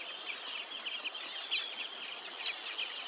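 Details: Red-necked Phalaropes at Olafsvik, Iceland, on 15 June 2024 give a dense, continuous chatter of short, high, sharp twittering notes, several birds calling over one another against a faint outdoor hiss.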